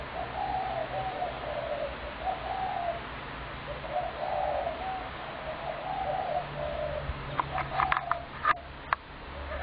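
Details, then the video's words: Spotted doves, heavily fed by a neighbour and calling almost continually from sunrise to sunset, give soft, low cooing phrases about every two seconds; a few sharp clicks and knocks near the end. "Home virtually untenable due to dove infestation - noise DISASTER!"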